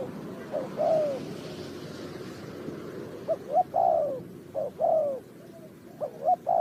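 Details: Spotted dove cooing in a bird-trapping setting in Ninh Thuận, with phrases of short hollow notes leading into a drawn-out descending coo, repeated irregularly against a steady noisy background.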